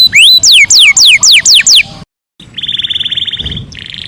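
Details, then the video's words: Canary singing in master style, said to call friends and fight: loud falling whistled sweeps about four per second, a short silence, then a long even rattling trill. "O SOM DOS CANÁRIOS MESTRE CHAMANDO AMIGOS E BRIGAS"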